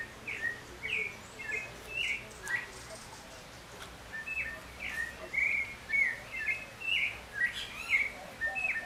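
Clay-colored Thrush singing clear, mellow whistled phrases, short and varied, about two each second, over a soft background hiss.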